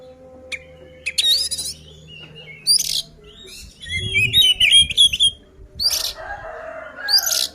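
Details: Oriental magpie-robin song meant to rile other birds into fighting: varied whistles, a quick series of repeated clear notes, and scratchy harsh bursts, over quiet background hum.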